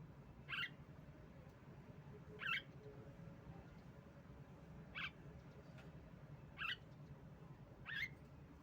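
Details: Female Javan myna, played as a lure to make reluctant mynas sing, gives five brief rasping notes roughly every two seconds, each a quick scratchy burst, with a constant low droning hum behind.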